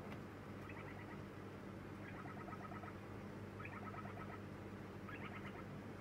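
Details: Lineolated parakeet chick on its second day in a new home, calling while being fed: short pulsed chattering bursts in quick trills, repeated every second or so, over a steady low hum.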